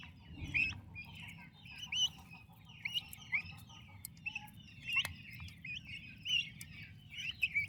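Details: A brood of turkey chicks with their mother, active and healthy: sharp high peeps come in small bursts roughly every second, with looser chirps between them and low rumbling noise underneath.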